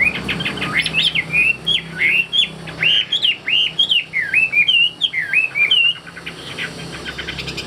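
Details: A tame Hwamei that sings well pours out a loud, rich run of varied whistled phrases, sliding up and down, barely pausing for about six seconds before quieter chirps.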